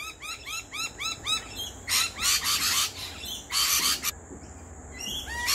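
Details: Two visiting lorikeets in a backyard at lunchtime give quick arched notes in a regular run, then harsher broadband bursts, followed by near quiet with a steady high tone.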